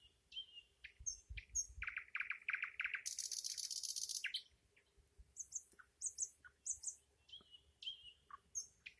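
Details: Nightingale singing a series of loud, rapid, throaty notes, then a long dense high buzzing trill, followed by scattered thin high chirps and short whistles with pauses between them.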